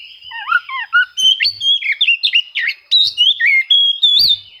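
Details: Oriental magpie-robin song seeking opponents, played to make quiet birds sing: continuous sequence of clear whistled slurs, low and high phrases alternating, with a few clicks and a faint steady tone.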